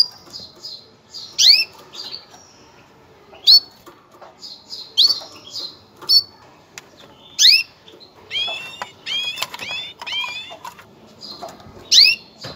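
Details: Female canary mating call used to prepare males for breeding: a long series of sharp upslurred chirps, at times in quick doubled bursts, with softer twitters and faint rustling between.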